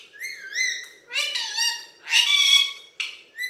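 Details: Alexandrine parakeet, a talking desi parrot speaking Hindi, strings together whistled tones and raspy word-like syllables in quick succession, with a sharp short squawk near the end.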